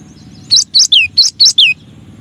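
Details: Cinereous tit (gelatik batu, gelatik wingko) giving a masteran song variation: six loud high notes, rising chirps alternating with longer downslurred whistles, delivered quickly in under a second and a half over a low background hum.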